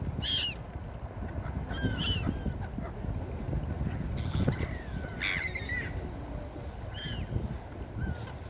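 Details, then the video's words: Seagulls at the beach giving a series of sharp, downward-slurred squealing calls, some doubled in quick succession, over a steady low rumble of surf and wind. "Seagull Beach Sound Effect| Seagull sounds for Sleeping and Deep relaxation| Seagulls Sounds"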